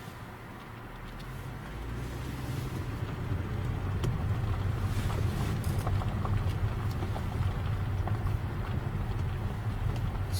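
A steady low engine drone, like a boat or vehicle, with some wind noise and no animal voices.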